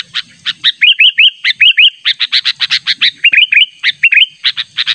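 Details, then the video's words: Sooty-headed bulbul, natural calls meant to draw in a rival: dense bursts of sharp chips alternating with short bubbly upslurred notes in quick series, a faint high hum throughout. "Pikat Burung Kutilang Panggilan Ter ampuh suara alami"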